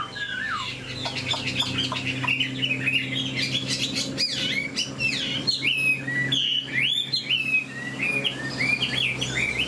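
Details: A nearly tame Chinese hwamei (Họa mi), large-bodied, perched and singing, pours out a loud, rich song of varied whistled phrases, rising and falling slides and quick chattering notes, over a steady low hum.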